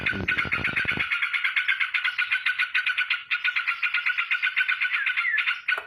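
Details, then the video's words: Straw-headed bulbul delivering nonstop rapid 'ropel' song while flapping its wings: a low rattling flutter opens, then a long even stream of quick, bubbly repeated notes. "BURUNG TRUCUUUK Lagi ROPEL dan KIBASINN sayap!!!"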